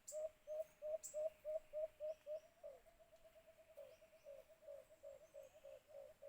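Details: During cage-trap hunting, a white-eared brown dove (alimokon) delivers a long, rapid string of low hollow notes, strong at first and then softer and blurred, continuing for over six seconds with occasional clicks.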